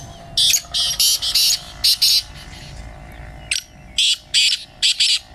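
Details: Francolin heard in a voice competition giving loud, rasping, broadband notes in a rapid cluster of five or six, a gap of about a second, then another run of five, over a faint steady hum.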